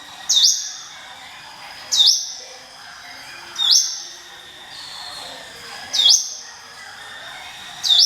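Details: 'Ngiwit wit' song of a hill prinia, kept for luring other birds: five crisp rising whistles, each with a short trailing tone, spaced one and a half to two seconds apart, with faint hiss between.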